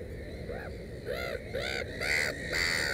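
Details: Black-headed gull beside its nest with three chicks: a run of loud, harsh, arching calls, rising in volume and pitch-rich, about five in three seconds, with low background rumble.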